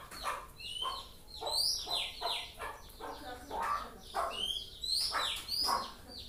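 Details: White-rumped shama youngster learning its song: a busy jumble of scratchy notes, short whistles and high upward slurs, loosely repeated, over low steady noise.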